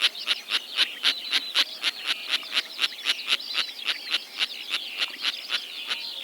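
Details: Sociable Lapwings calling in Kazakhstan, a critically endangered migratory species whose flocks keep together partly through calls: short, harsh, evenly spaced notes repeated about four times a second in a steady rhythm throughout.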